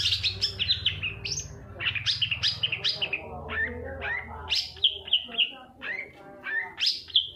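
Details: Long-tailed shrike song meant to coax a quiet cage bird into singing; loose series of downslurred whistles and harsh notes, spaced irregularly, with a low hum underneath.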